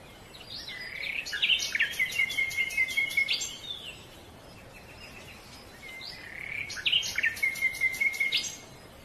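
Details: Silver-breasted broadbill calling in two bursts several seconds apart, each a rapid series of bright, clipped notes with a thin whistled line, over steady background noise.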